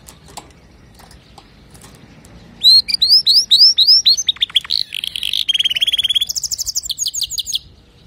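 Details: Male canary singing to teach young canaries: after a quiet start, a run of rising whistled slurs, then fast buzzy trills and rapid repeated high notes, varied phrases in quick succession.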